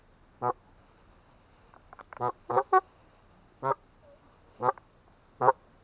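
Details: Canada goose giving deep, far-carrying honks: short harsh nasal calls repeated about once a second, with a quick cluster of several honks in the middle, over faint background noise.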